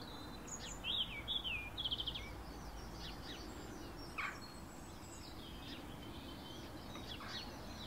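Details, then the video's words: A flock of shiny cowbirds (Molothrus bonariensis) gives high, bubbling chips and thin, sliding whistles in scattered bursts over a steady low background rumble; Shiny cowbird. "Bando de Chupim"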